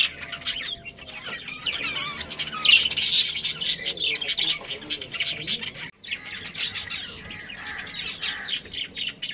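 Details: Budgerigar colony kept as pets, a breeding family chattering: continuous busy high chirps and scratchy warbling, briefly dropping out near the middle, then resuming.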